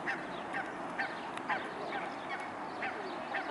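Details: Mute swans recorded on 21 May 2015 around midday: short nasal honking notes repeated about twice a second in an uneven series, over a steady hissing background.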